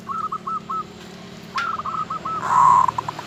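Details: Actively singing local zebra dove, its song said to stir rivals' breeding urge: runs of short staccato notes, then a loud sustained cooing burst tailing into clipped beats, over faint background hum.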